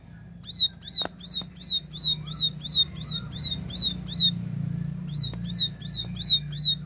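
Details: Clear, lively 'tembakan' song of a plain prinia: a near-continuous run of bright, high chip notes at about three per second, with a few sharp clicks and a soft low background hum.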